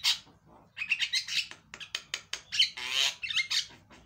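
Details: A Javan myna used as a lure to make a silent myna sing gives a busy, chattering song of harsh squawks, whistles and rapid clicks, with loud raspy bursts mixed among bright chirps.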